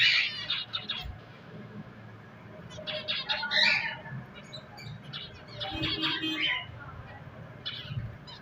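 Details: Pet finches chirping in a loose, irregular chatter: bursts of sharp, high, buzzy chirps and squawks come and go over a steady low background hum.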